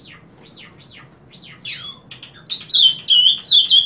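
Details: Ultramarine grosbeak singing every morning, punctually from 7 o'clock: four quick down-slurred whistles, then a louder sweeping note and a high, chattering warble of bright, varied phrases.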